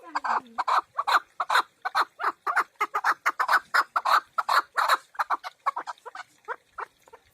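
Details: Partridge chicks raised at home, giving a fast, uneven series of harsh, clucking notes, roughly three per second, with a few softer, lower notes at the start and no other clear sounds.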